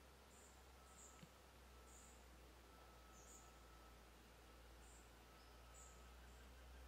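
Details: Common kingfisher at ponds in the Drava valley, Slovenia, on 23 July 2023, giving faint, thin, very high whistled notes, repeated roughly once a second, over a steady low rumble and a faint hum.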